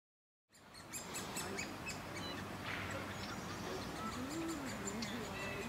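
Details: Great spotted woodpecker family feeding three young at a nest in a beech in a Leeuwarden city park, parents flying back and forth; rapid high ticking chatter repeated about four times a second over steady low urban rumble, a short whistle from another bird.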